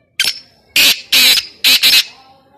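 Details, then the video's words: Black francolin calling, recorded for hunting: loud, harsh, grating bursts of sound. One short note is followed by four strident rasping notes, the last two run closely together. "Titer ki best awaz, Kala titer, black francolin calling"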